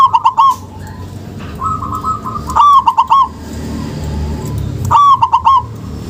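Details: Zebra dove of local stock, played as a lure to get sluggish doves calling; three bursts of rapid, rolling coos, each under a second, with softer cooing phrases and low rumble between them.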